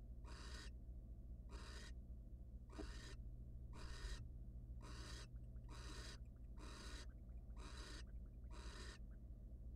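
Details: A series of nine raspy, noise-like hisses, evenly spaced about a second apart, comes from wild barn owls at their nest box while the male rests briefly after bringing prey to his mate; a steady hum underlies.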